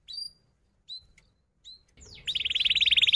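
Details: Singing canary used as a lure to teach young canaries, with a few separate sharp chirps followed by a fast, dense high trill of rapidly repeated notes.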